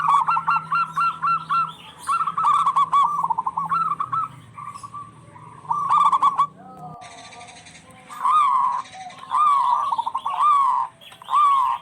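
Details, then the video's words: Prolific local zebra doves answering each other, suited to prompt quiet or stressed doves: repeated runs of clipped cooing notes, a hiss rising in the background partway through, then further warbling phrases. "Suara perkutut lokal gacor bersautan paling cocok pancingan perkutut lagi stress"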